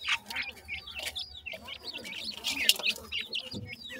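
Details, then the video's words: Dense, high-pitched chirping from partridge chicks in forest, quick wavering notes packed closely together, with a few sharp clicks. "partridge chicks enjoy in the forest,make cute chirping calls"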